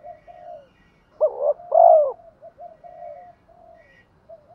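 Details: Spotted dove decoy calling to provoke and draw in rival males: one strong double coo phrase amid softer repeated cooing, with a faint high whistle in the background.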